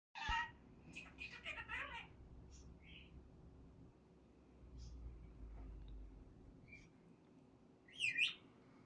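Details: A male pet budgerigar, sitting on his food dish in the morning, runs through the words he knows in a rapid, scratchy burst of speech-like mimicry, some clear and some mumbled, then adds scattered high chirps.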